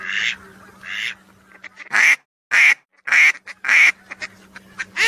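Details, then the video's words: Whistling duck calls played to lure ducks for hunting: separate loud, wheezy, ringing notes spaced roughly half a second to a second apart, with short silences and a low background hum. "DUCK CALL SOUND||WHISTLING MALLARD 2-CALL SOUND"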